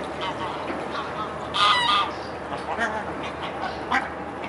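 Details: Mute swans on the river Elbe in Dresden, 17 May 2017, early afternoon; one loud, harmonic, trumpeting call near the middle, with fainter brief calls before and after over steady background noise.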